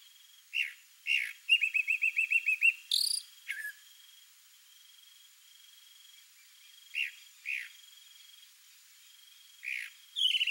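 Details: Chalk-browed mockingbird male showing off to a female with a varied song: scattered sliding notes, a fast run of about ten rapid chips, a harsh burst, then more spaced downslurred notes, with a thin steady insect-like whine behind.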